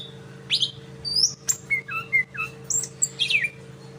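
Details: Learning to copy the sikatan londo, a greater green leafbird gives varied piercing whistles, short chirps and slurred notes, some dropping in pitch, spaced through the phrase, with a faint steady hum behind.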